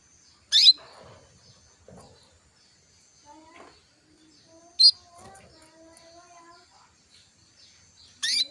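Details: Female canary calling to a male, used to raise his breeding urge so he starts singing quickly; three short, sharp high chirps spaced about four seconds apart, with faint low murmuring sounds between them.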